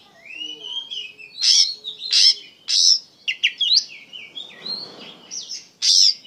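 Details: Kept white-rumped shama in full, emotional song, loud ringing whistled notes and sweeping slurs alternating with softer warbles, phrases in short bursts; brief rustling noise midway.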